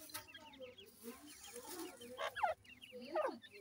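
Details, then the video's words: Feeding teetar chicks, Grey francolin, producing a rapid chorus of thin downward-sliding chirps that grows into two louder sweeping peeps near the end, over faint low clucks. "teetar chicks sound,Gray Francolinus bird"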